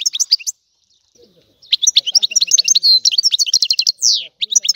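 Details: Sicilian European goldfinch giving a rare old-style song: an opening burst of twitters, a brief gap, then a long rapid run of high liquid chirps broken by two drawn-out buzzy rasps.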